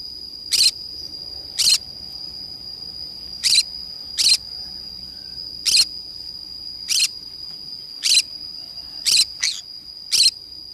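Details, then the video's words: Green-cheeked conure playing by itself in the forest: about ten brief, harsh, rasping squawks at uneven intervals of roughly one second, with a steady shrill insect-like drone underneath throughout. "green cheek conure parrot sounds"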